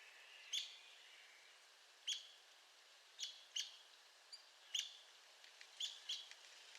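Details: Arizona woodpecker calling: sharp, high, clipped notes given singly or in quick pairs every second or so, some followed by faint trailing notes, over a quiet, hissy background.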